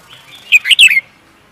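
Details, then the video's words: Songbird kept for singing contests, giving a short bright phrase of three or four quick whistled notes, the last sliding downward, over a quiet background. "The Beautiful Bird singing"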